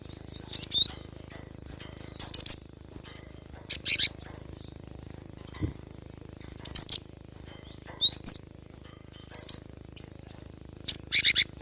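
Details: Cinereous tit song used to stimulate lazy birds into singing: scattered short clusters of very high, sharp chirps and twitters, two or three notes each, spaced irregularly across a quiet background with faint hum.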